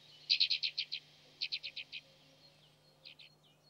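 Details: Alpine accentor (Prunella collaris) in winter in Corrèze, France, giving quick runs of dry, chirping trills, six notes then five, followed by a couple of softer notes, high-pitched over a quiet background.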